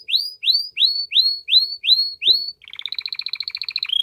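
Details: Canary song to stimulate the female toward mating: seven rising swooping whistles about three per two seconds, one small click, then a fast bubbling double-toned trill and a final clear note.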